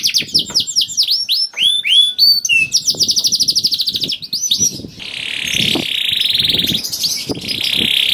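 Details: Canary singing to spur other canaries: varied rapid whistled notes and quick trills, then long buzzy, rolling phrases held for seconds, with faint low background noise.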